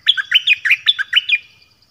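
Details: Brief phrase from a nok dok taeng's double-style training song: about seven fast, sweet chirped notes in under one and a half seconds, each dipping in pitch.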